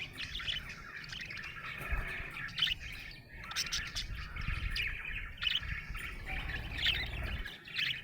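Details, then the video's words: Happy budgie chattering nonstop, a busy scratchy warble broken by sharp higher chirps every second or two, with faint low background hum. "Happy budgie chirping sound"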